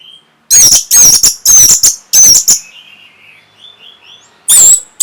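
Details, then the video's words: Orange-headed thrush song used to stimulate breeding and draw a reply. Four loud grating, chattering bursts with shrill edges come in quick succession, then a soft warbling pause and one final harsh burst. "NYANYIAN BURUNG PUNGLOR PEMBANGKIT BIRAHI"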